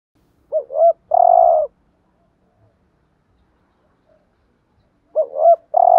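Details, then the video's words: A decoy spotted dove in the driving coo style used to make other doves call: a quick pair of bouncing hoots and a drawn-out level coo, then a long silence before the phrase starts again. "chim cu gáy thúc gù bài bản/ Tiếng chim cu gáy kích bổi và mồi rất xiêng gáy"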